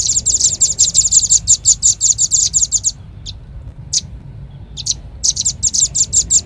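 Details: Red-billed leiothrix call used as a bird-trapping lure: fast train of high, piercing chirps for three seconds, a gap with a few scattered notes, then the rapid chirping resumes; faint low hum beneath.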